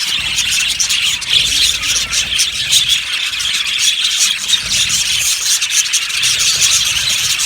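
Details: Aviary colony of yellow budgerigars giving a steady flock chatter: countless overlapping high twittering chirps forming an unbroken, buzzy wall of sound, with a faint low rumble beneath.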